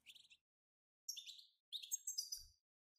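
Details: Quiet fragments of European goldfinch batbata, a group song for stimulating goldfinches. Short, high, twittering and buzzy phrases are broken by silences.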